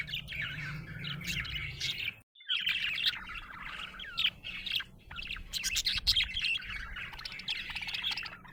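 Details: Happy budgerigar chirping in quick clusters of sharp high tweets and short scratchy warbles, broken by a brief silence early on. The phrases then continue almost without stopping, some notes loud and clicky.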